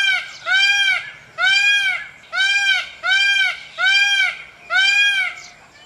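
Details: Loud peafowl calls in a steady run: six drawn-out, harmonic, arching wails spaced roughly one second apart over a quiet background.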